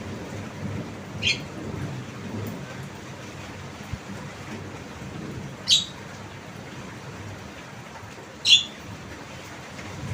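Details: Javan myna giving three short harsh rasping calls, spaced a few seconds apart, over steady broadband background noise.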